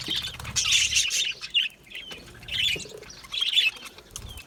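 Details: Budgies giving clustered bursts of high, warbling chirps separated by short lulls, with scattered single squeaks between the busier passages.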